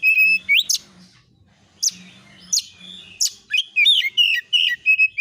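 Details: Oriental magpie-robin 'nembak isian' song played as a lure to trigger replies: level whistles broken by sharp rising sweeps, spaced flicks, then a quick chain of chirps and warbling notes, with a faint low hum.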